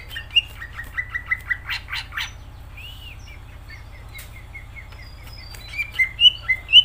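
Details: Greater green leafbird in energetic song: a quick series of short whistled notes mixed with rasping, scratchy bursts, a quiet stretch in the middle, then loud rising whistles toward the end, over a low hum.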